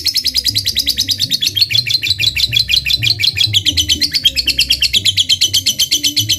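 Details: Chatty lovebird fighter giving ngekek chatter meant to draw a rival's response: a dense stream of rapid, scratchy high chips, roughly two per second in clusters, steady throughout, with low background hum.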